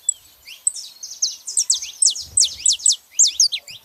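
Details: Female and male saffron finches calling together: loud, bright downslurred chirps in quick pairs and triplets, fairly steady, with a soft low thump in the middle.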